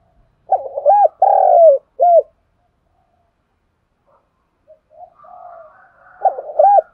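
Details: Spotted dove morning calling coo, used to train decoy birds: one full three-part phrase of hollow coos, a long pause with softer murmuring bird notes, then the next phrase beginning.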